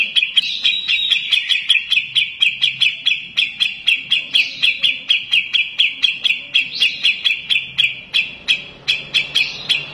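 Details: Grey-cheeked Bulbul (Alophoixus bres) giving a fast, steady run of sharp, bright chirps, about four each second, with a chattering, insistent feel and no other sounds.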